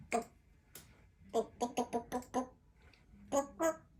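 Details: A baby female African grey parrot practises words in an office in the afternoon: muttered speech-like syllables, a couple of isolated words, then a quick run of five or six, and a final pair, in a quiet room.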